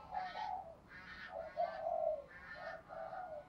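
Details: Spotted dove used as a lure, cooing softly at a distance against a hissy background. Four or five hollow coo notes come in a slow, uneven sequence.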